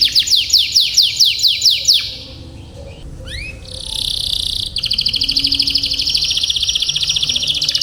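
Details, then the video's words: Training song of a canary for young or stuck canaries to copy long rolls: falling whistled sweeps about four per second, a brief pause with soft upslurred notes and a buzz, then a long, rapid rolling trill. "Suara BURUNG Kenari ||° Bird Chirping Sound ||° Masteran dan PANCINGAN kenari"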